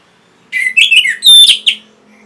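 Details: Orange-headed thrush singing to stimulate caged birds: a quick jumble of warbled, slurred notes, then a pure high whistle and a sharp burst, with a faint steady hum behind.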